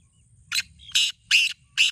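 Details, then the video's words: Kala teetar, the black francolin, in a calling contest: four loud raspy syllables, the middle ones longest, spaced about every third of a second over low background rumble. "Black Teetar Voice"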